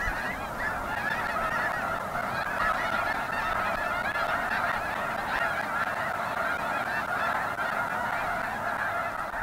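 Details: Flock of snow geese giving a sustained, thick babble of nasal honks and yelps, overlapping without gaps, some louder calls rising briefly above the mass.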